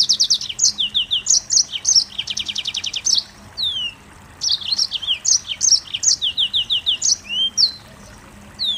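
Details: Mozambique canary delivering a packed song of quick high chirps, descending whistles and a fast rattling trill, with a short pause before the phrases resume; faint low hum in the background.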